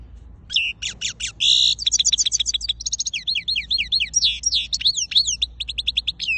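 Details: European goldfinch song: a lively, fast twittering run of bright, high notes, starting with buzzy blocks and moving into rapid repeated downslurred chips and tinkling phrases, carrying on without a break over a quiet background.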